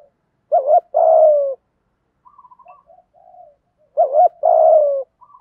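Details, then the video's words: Captive spotted doves, male and female, cooing in the 'thổ thúc gù' manner meant to stimulate newly trapped birds: two low paired phrases, each a short warbled note and a drawn-out descending coo, separated by quiet murmuring. "cu gáy giọng thổ THÚC GÙ giọng hay hạp bổi nhanh nổi nhất, tiếng gáy giúp bổi nhanh gáy và nổi lẹ"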